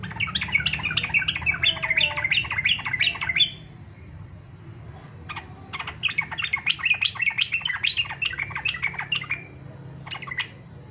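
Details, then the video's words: Yellow-vented bulbul singing in fighter style, used as a lure to prompt other bulbuls to sing: two dense bursts of rapid, bubbly chattering notes, the first lasting about three seconds, the second about four, with a brief phrase near the end over low hum. "SUARA trucukan faghter cocok buat pancingan supaya trucuk ikut faghter"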